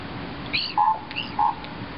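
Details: Common raven at Tumbler Ridge, British Columbia, on May 15, 2010: two short, clear, hollow tonal notes about half a second apart, preceded by a faint higher squeaky note, over a steady low background hum.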